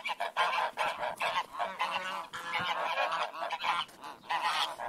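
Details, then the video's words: Several geese honk loudly and continuously, harsh nasal calls overlapping in a noisy chorus. "Goose Noises"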